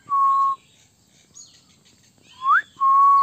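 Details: Indian pet common myna: a level whistled note, a pause, then a quick rising slur running straight into another steady whistle, clean and tonal against a quiet room.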